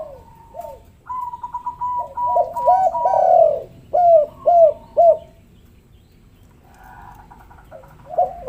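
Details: Spotted dove calls used to coax lazy doves into calling: a few soft coos, then a burst of overlapping rolling coos and three clear arched notes, a quiet gap, and more coos near the end.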